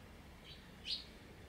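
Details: Eurasian tree sparrow returned to a balcony once the paddy rice harvest was over, 26 October 2021, Sony ZV-E10 camera; a faint soft chirp followed by one loud, sharp, high single chirp against quiet low hum.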